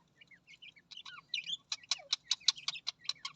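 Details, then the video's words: Australian parrot giving soft scattered chirps and twitters that build into a quick run of sharp, repeated high clicks and chips, nearly two per second, over a faint low hum. "Australian parrot voice"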